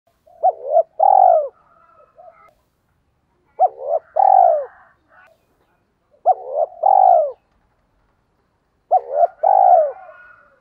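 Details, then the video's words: Spotted dove lure call used to draw wild doves: four cooing phrases about every 2.7 seconds, each two short clipped coos then a long, drawn-out, slightly falling coo, with faint soft notes in the pauses. "tiếng chim cu gáy kích bổi nhanh nổi hiệu quả"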